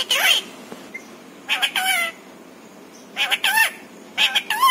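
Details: Pet parrot speaking in four separate bursts, each a raspy, wavering, speech-like phrase about a second long, with quiet gaps between.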